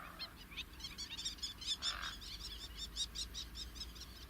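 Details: Fork-tailed drongo (Dicrurus adsimilis) in natural habitat in Africa giving a rapid string of sharp, twangy chips and metallic notes, several per second, with a brief lower nasal burst midway.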